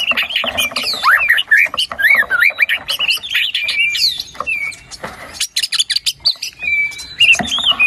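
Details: Dense white-rumped shama song meant to trigger singing in a silent bird: crowded twittering and whistled slurs, then sparser sharp notes and a clear whistled phrase near the end.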